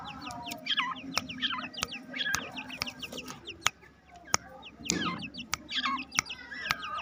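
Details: Aviary-kept black francolin chicks aged two months, happy on release, give many overlapping high chirps that sweep downward. Rhythmic sharp clicks sound throughout, over a soft low rumble.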